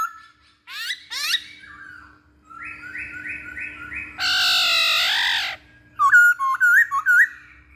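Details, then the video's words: Lure recording of a masked laughingthrush: sharp rising squeaks, a row of evenly spaced flat whistled notes, a long harsh nasal squall, then short looping whistles in quick succession; low hum throughout. "Pancingan Poksay Hongkong"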